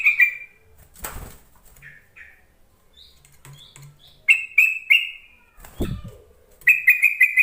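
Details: Yellow-vented bulbul calling, used to spur silent bulbuls into replying. Short bubbly bursts and soft chips scattered through, with two loud thumps or knocks among them and a final rapid chattering trill.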